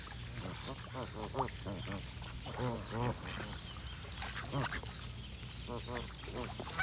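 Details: Noisy gathering of geese: dense, overlapping nasal honks, each short and slightly bending in pitch, keep coming without pause above a low hum.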